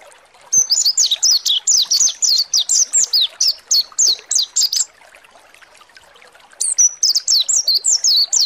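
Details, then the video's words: Mountain white-eye (pleci monty) song played to provoke another bird into singing: a long rapid series of high, thin slurred chirps, a brief pause, then another quick twittering burst. "PANCINGAN PLECI MONTY NGALAS BUKA PARUH"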